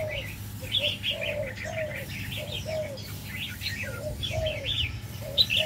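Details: Caged male red-whiskered bulbul, 'đầu lân' crest type, in an aviary. It gives repeated bright chirps and short whistled phrases about every half second, over soft low arched coos and a faint hum.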